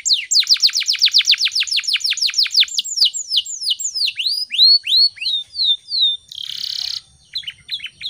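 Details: Vigorous canary song in the morning, used to prompt other birds to sing and copy it: rapid descending whistles slowing into arched notes, a brief buzzy burst, then soft repeated chirps.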